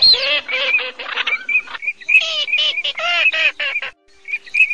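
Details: Cotton pygmy goose calls played as a lure for night net trapping of migratory birds, August 2024. Bursts of harsh, rapidly repeated cackling notes with strong harmonic stacks, interrupted by brief pauses and shorter clipped notes.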